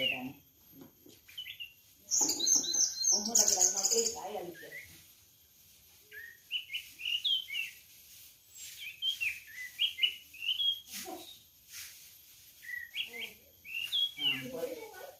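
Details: Orange-headed thrush in varied song: bursts of high twittering, then separate clear whistled notes, some rising and some falling, given in quick groups with short gaps. A steady background hiss runs throughout.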